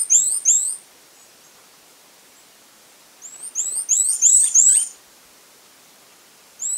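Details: Fawn-breasted tanager giving high, sharp, rising whistled notes: a brief burst at the start, then a longer phrase of about six thin upslurs after a long silent gap, and the start of another at the end.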